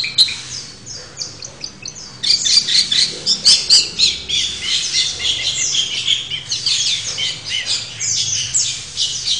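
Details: Long-tailed shrike singing a busy, scratchy song of high chirps and squawky notes. The phrases come in rapid, uneven bursts and grow louder after the first two seconds. A faint low rumble sits underneath.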